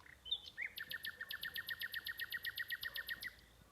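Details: Night bird calling after dark: a rapid even series of about twenty sharp bright chirps with high overtones, following a brief lead-in note, over faint low background hum.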